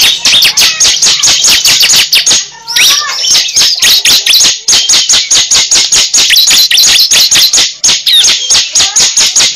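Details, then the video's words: Cible lure sound: a dense, nonstop train of sharp, high, clicking chirps, several per second, with a brief pause near the three-second mark. "Pikat suara burung cible terbaru sangat ampuh"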